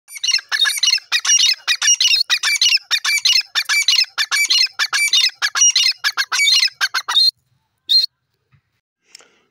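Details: Pair of grey francolins, known locally as teetar, calling together: loud, harsh squawking phrases repeated rapidly and continuously for about seven seconds, then stopping, with a couple of faint notes afterward.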